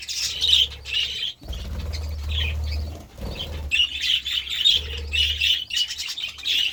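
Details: Budgerigars feeding on vegetables: shrill chirping chatter opens and closes the recording, and a loud stretch of fluttering wings and rustling fills the middle.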